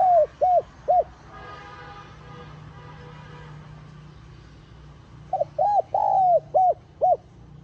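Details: Spotted dove cooing to lure wild doves: three short arched coos, a faint hum of harmonics during a gap of about four seconds, then a full phrase with a long falling coo and two quick arched notes.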